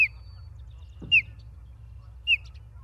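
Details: Osprey at its nest in Charlo, Montana, late August 2023, giving three short, high, slightly downslurred whistled chirps about a second apart over a constant low hum, with a soft thump between.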